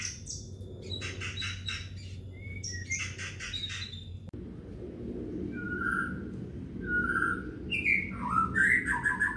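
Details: White-rumped shama in long 'gacor' song, meant as a lure for pet shamas at home: a rapid run of buzzy, rattling notes, then after an abrupt cut, scattered clear whistles building into fast, varied slurred phrases over low rumbling noise.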